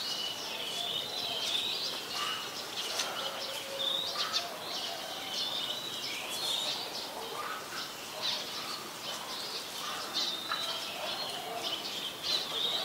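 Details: Male and female Brown-throated sunbirds recorded in Ubon Ratchathani, Thailand, 3 January 2021, on a Nikon P1000: sharp high chirps and brief whistled slurs repeat irregularly throughout, set against constant ambient hiss with faint lower notes.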